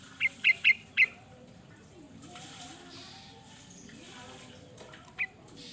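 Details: Sooty-headed bulbul, a varied song recording used for luring birds: four short, bright, slurred notes in quick succession, then a pause and a single matching note near the end, over faint low background hum.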